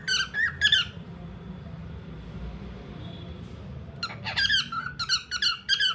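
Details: Bird in a small indoor room gives two quick squeaky whistled phrases, falls silent for about three seconds of faint room hum, then resumes with a rapid series of bright, slurred chirps.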